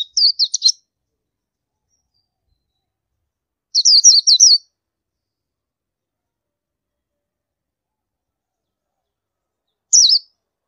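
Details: Oriental white-eye uttering short clusters of four or five high, quick, wavering chirps, separated by several seconds of silence, ending with a single brief two-note call.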